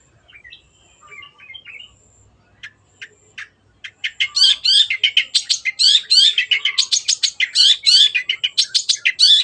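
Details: Cendet (long-tailed shrike) lure song for stalled birds: faint soft twittering for four seconds, then a loud, fairly regular rapid series of buzzy notes, roughly three per second.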